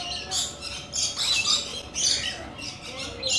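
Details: Coconut lorikeets screech in rapid, rasping bursts, roughly every half second, one raucous call running into the next.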